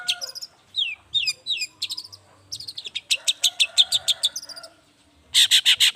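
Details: Morning lure song of a lively long-tailed shrike, meant to set silent shrikes calling back: downslurred whistles, then a fast string of harsh chattering rasps, ending in four loud grating notes.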